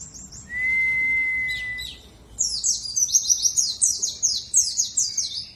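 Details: Warbling white-eye (pleci), Dakun type from Bondowoso, East Java, used as a lure to prompt other birds to sing; a steady whistled tone first, then a fast run of high descending chirps repeated several times a second.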